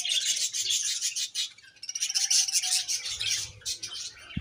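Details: Budgies chattering in a dense stream of rapid, scratchy chirps and buzzy warbles, with a short quieter dip partway through.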